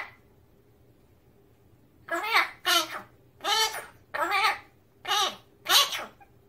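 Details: Magpie talking in a kitchen: six short bursts of speech-like chatter, each about half a second, separated by brief pauses, in a quiet indoor room.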